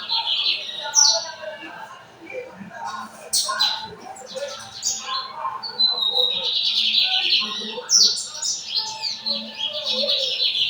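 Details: A lined seedeater sings torneiro song in São Luís at 4 pm on 14 May 2025, singing all day until the lamp goes off at night. A long, continuous buzzy warble mixes sharp high slurs and rapid trills.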